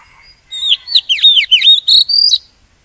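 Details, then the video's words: Magpie-robin song used as a decoy to trap wild birds and prompt singing: soft introductory chips followed by a loud, fast run of swooping whistled notes and a final held high whistle, lasting roughly two seconds, with a faint click midway. "Tiếng chim chích chòe than mồi dùng để bẫy chim và kích chim hót"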